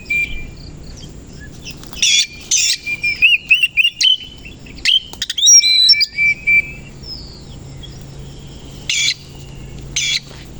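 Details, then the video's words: Morning song of a koci Oriental magpie-robin fanning its tail: a fast run of varied whistled notes and chattering, broken by loud rasping bursts, roughly three to four notes per second at its busiest. "KACER KOCI NGEBYAK BUKA EKOR DI PAGI HARI"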